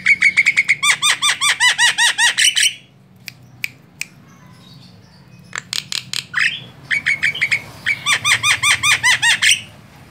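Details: Javan myna of the white-eyed form, a lure recording meant to attract other birds: fast runs of harsh, ringing, downward-curving notes in two long bursts separated by scattered clicks.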